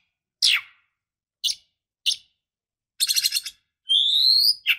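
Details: Female Oriental magpie-robin calling to rouse the male: single harsh scratchy notes spaced about a second apart, a rapid rattling burst, then a rising whistled slur.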